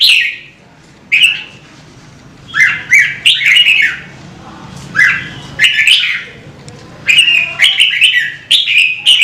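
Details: Red-whiskered bulbul in song, played to spur other birds to sing; lively phrases of rich, slurred whistles come in bursts every second or so, some harsh clicks, steady low hum beneath.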